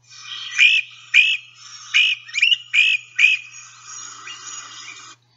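Great Crested Flycatcher giving its lower, burry 'per-per-per' call: six rough trilled notes about two per second, trailing into fainter chatter.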